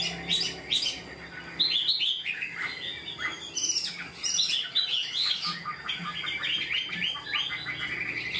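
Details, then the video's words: Caged Chinese hwamei, an untrained bird said to sing readily and fully like a tamed one: loud, varied song of rich whistled phrases, rising and falling slurs and quick trills in close succession, with faint indoor background hum. "Họa mi mộc mau mỏ hót bài bản như chim thuần"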